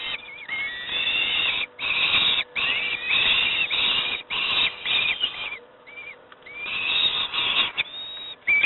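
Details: Young peregrine falcons at Moszna near Pruszków calling while fed breakfast: dense, strident rasping screams in quick overlapping bursts, with a few short thin whistled squeals between.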